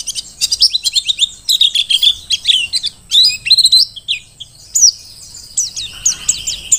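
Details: Mountain white-eye (pleci dakun Merapi, wild-caught) sings a fast, unbroken twitter of high, thin chirps and quick trills, bright and busy throughout, with no other sounds.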